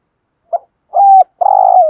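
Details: Spotted dove cooing, used to lure wild doves: a short soft note, then a longer level coo and a drawn-out buzzy, throaty coo that slides down at the end.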